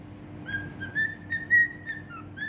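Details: Cockatiel in Bahrain whistling and singing: a run of clear, steady whistled notes, some sliding slightly upward, with short louder bursts near the middle, over a faint constant low hum.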